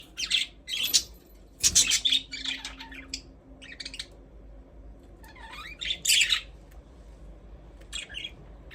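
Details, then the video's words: Budgerigars chirping, with bursts of bright, buzzy squawks and twittering notes in irregular clusters separated by short pauses, over a faint low hum. "Budgies parrot chirping sound"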